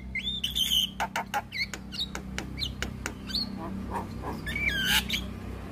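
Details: Black-winged starling song intended to spur reluctant starlings to sing: whistled slurs, scattered clicks and a loud rising squeal over a noisy background hum.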